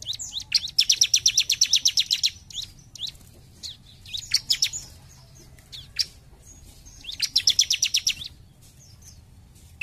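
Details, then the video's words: Vigorous jump shoot song from a bar-winged prinia: long trains of rapid, ringing high notes, about ten per second, broken by brief pauses with scattered chips, two main bursts heard. "CIBLEK GACOR JUMP SHOOT"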